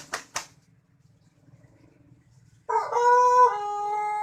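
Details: White Pelung cock after two short thumps and near silence gives a loud crow, starting with a wavering section and then holding a long, level, harmonic-rich note.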